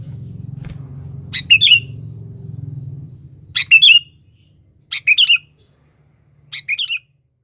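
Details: Kutilang, the sooty-headed bulbul, singing to call a rival as a lure: four quick chirpy, gurgling phrases spaced one to two seconds apart, each a tight cluster of bright notes, with a low droning hum early on.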